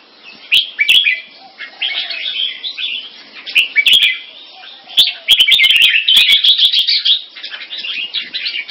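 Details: Red-whiskered bulbuls, caged mutant crossbreeds of a champion bloodline kept in Singapore, compete in display with dense, rapid chattering warbles that run almost continuously and grow busier toward the end, with scattered sharp clicks.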